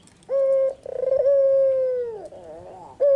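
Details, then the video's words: Barbary dove, white with red eyes, giving its afternoon song: a brief level coo, then a drawn-out coo that starts with a rapid throb, holds steady and dips at the end, trailed by quiet warbling before the next phrase. "Suara burung puter putih mata merah full gacor-Nyanyian merdu di sore hari sangat tajam dan jernih"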